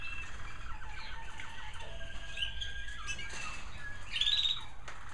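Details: American Singer canaries kept indoors in bird rooms, evening: a mix of quick chattering notes and warbles from several birds, building to a louder bright trill near the end, with constant low background hum.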